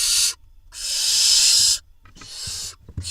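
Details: Barn owl nestlings in an Israeli nest box, 21 June 2021, when the male arrives with a vole that one of the young swallows; three broad, rasping hisses, the middle one over a second long.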